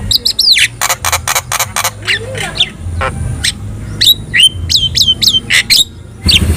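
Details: Javan myna singing to draw responses from other birds: a falling whistle, a burst of rapid loud clicks, then repeated short down-slurred whistles spaced about half a second apart, with a low hum throughout.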